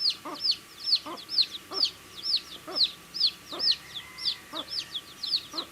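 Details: Baby chickens eating, steady high arched peeps a little over twice a second, with fainter chirps from other chicks, pecking taps and a faint hum.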